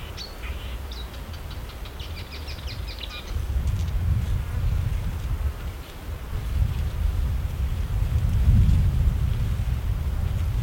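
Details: Marsh warbler, which copies other birds, pouring out a rapid string of high ticking and chirping notes for about three seconds before falling silent, then only loud wind-like rumbling remains.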